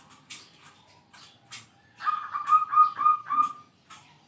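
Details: Zebra dove, a kept singing bird, calling out rivals: after quiet clicks, a fast string of about six bright repeated coo notes lasting under two seconds.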